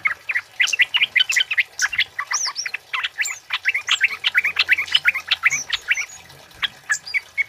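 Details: Loud male flowerpecker song in the 'cit keres' style, a tutor and lure recording; a rapid, steady stream of sharp high chips and ticks with occasional thin upslurred squeaks, and a faint low hum.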